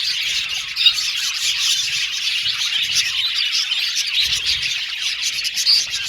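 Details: Aviary budgies chirping together, quick high twitters blending into a constant chatter, with an occasional sharper squeak standing out.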